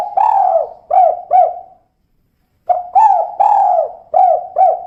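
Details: Mellow, throaty coos of a female spotted dove in the 'kuk 2' call style. A long coo and two short ones are followed after a pause by a further string of curved notes and a sustained coo.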